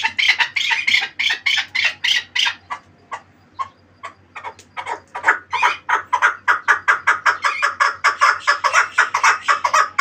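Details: Chukar partridge from the Pamirs in full rapid calling: loud rasping chuk-chuk notes in bursts, a brief quieter gap, then a fast, insistent repeated series of harsh clucks, about four per second.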